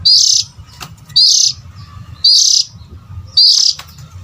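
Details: Lure for adult oriental magpie-robins: four loud, scratchy, high bursts, each led by a short upward whistle, repeated about once a second over a low rumbling background.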